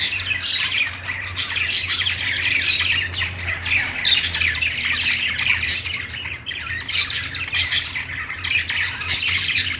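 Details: Budgerigars chirping as they play, many voices blending into a continuous scratchy warble with repeated short sharp squawks and a low background hum.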